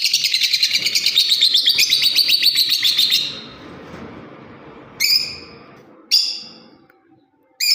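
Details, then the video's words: Lovebird chirping: a rapid, shrill run of high chirps for about three seconds, then three brief sharp squeaky bursts after pauses. "Love bird parrot beautiful Chripping sounds voice"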